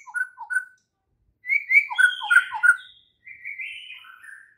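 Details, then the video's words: Morning song of a white-rumped shama, used to train other shamas: a pair of short whistled phrases, then a dense tumbling burst of warbled notes and a drawn-out rising and falling whistle. "MASTERAN Murai Batu PAGI INI mampu buat Murai Batu MACET TOTAL jadi GACOR NGAMUK seketika"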